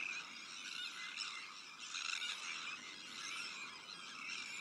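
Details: Sandwich terns in a busy breeding colony shared with black-headed gulls, Arctic terns and common terns; crowded, rasping calls overlap continuously, with a louder burst of grating cries about two seconds in.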